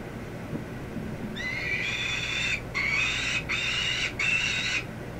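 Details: Peregrine falcon chick, 27 days old, in a nest box on 22 May 2013 at 9:57 am, hopping up to the front perch for the first time; four drawn-out harsh, harmonic wails, each about a second, run back to back over a steady low hum.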